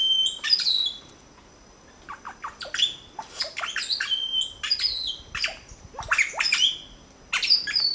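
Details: Three Red-bellied Grackle (Hypopyrrhus pyrohypogaster) chicks begging while being fed at a nest in La Romera reserve, Sabaneta, Antioquia, Colombia, 2012, give harsh, high squawks in short rapid bursts, several per second, mixed with thin whistled notes.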